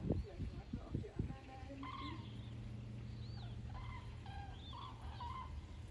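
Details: Migrating common cranes passing south over the Wetterau, Hesse, near Bad Nauheim on 22 October 2022, thousands in the flock; a few bursts of human speech open, then scattered rolling trumpet calls above a steady low hum.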